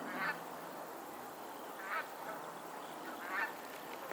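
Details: Geese on a lake in Pennsylvania: three nasal, harmonic honks spaced about one and a half seconds apart over a steady low background hum.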